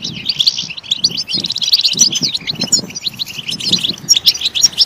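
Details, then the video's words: European goldfinch singing loudly: a dense, fast twitter of high, tinkling and buzzy notes, with a few brief pauses and faint low rumbling underneath. "Stimulating a goldfinch clip to make it chirp in a loud and wonderful voice"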